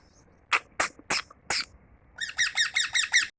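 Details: Four sharp clicking bursts from a tame household parrot give way to a rapid string of six rasping, harmonic chirps, each roughly a third of a second apart, in a quiet room.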